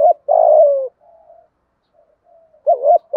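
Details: Thúc gù coo of a spotted dove in the giọng thổ voice, used to excite decoy birds. A long coo falls away at the end and is followed by soft faint notes. A fresh wavering double note then starts the next phrase.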